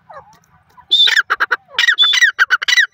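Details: Grey francolin, an Indian francolin, giving loud, harsh, harmonic notes: one clear whistled note, then a rapid run of short squawky syllables in quick series after a quiet opening.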